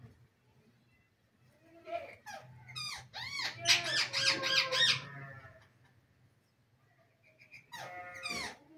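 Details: Talking green parrot at home, mimicking Urdu and Hindi words: a rapid burst of harsh, high-pitched speech-like syllables with rising and falling tones, a long pause, then one more short raspy phrase.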